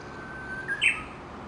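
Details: Early-morning Japanese bush warbler, one of dozens feeding together under a chinaberry tree near Gakushima Bridge, Tokushima, Japan; a long level whistle slides upward into a quick bright warbled ending, over soft steady hiss.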